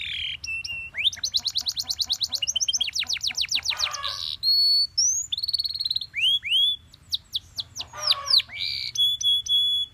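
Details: Morning song of a Belgian canary: whistled notes, an accelerating rattle of sweeping notes, buzzy bursts and downslurred phrases, closing with clear steady whistles.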